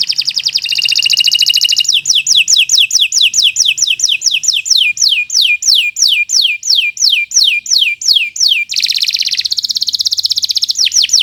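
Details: Nusantara canary tutor song: rapid buzzy trill, then a long run of evenly repeated downward-sweeping whistles, closing with another fast trill.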